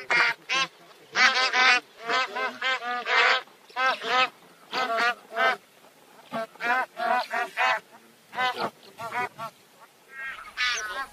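Bar-headed geese give a rapid, overlapping run of nasal, honking calls, bursts close together with brief pauses, sounding like several birds calling at once.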